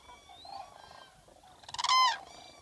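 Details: Common cranes in southern Sweden in April 2014, heard from a photo hide: after faint, thin distant calls comes one loud, rolling trumpeted call lasting about half a second, then quieter calling again.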